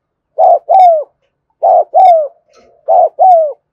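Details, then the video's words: Three evenly spaced cooing phrases from a spotted dove in 'thúc gù' fashion, filmed in the afternoon; each phrase has a short note then a longer coo that slides downward, with near silence between. "tiếng cu thúc gù hay và liên tục"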